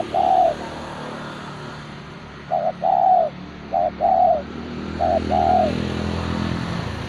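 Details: Kept spotted dove in full song, giving three soft cooing phrases, each a quick short coo followed by a drawn-out rolling note, over a constant low background hum.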